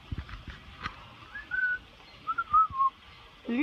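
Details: A happy, fluffy-faced male parrot on his first visit to an aviary talks contentedly ("pretty bird"), giving a few warbling, wavering whistles, one short and one longer rolling phrase, between soft clicks and a person's voice.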